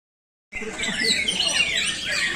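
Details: Greater green leafbird (cucak ijo) kept as a source bird for training others, sold to Bandung, pouring out a loud, dense stream of bright whistles, slurred high notes and chattering trills after a brief silence.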